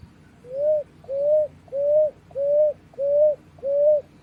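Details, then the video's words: Nestling Picui ground doves calling: a steady series of six mellow, level whistles, evenly spaced about twice per second, over a quiet low background. "Filhotes de Rolinha Picuí"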